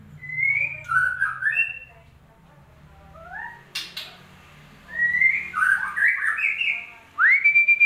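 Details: White-rumped shama lure song for a bird that has gone quiet: varied whistled phrases in two bursts separated by a pause, then a sharp rising whistle at the end.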